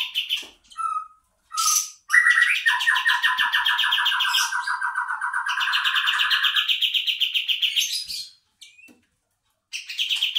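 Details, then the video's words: Lure recording of a kapas tembak bulbul: a few short whistles, then a long, steady, rapid trill lasting about six seconds, ending in silence and one more brief trill. "pancingan burung kapas tembak"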